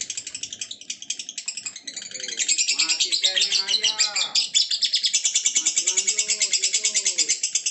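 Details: Lovebird in a long ngekek, its high rapid chattering trill running throughout while men talk over it in the middle.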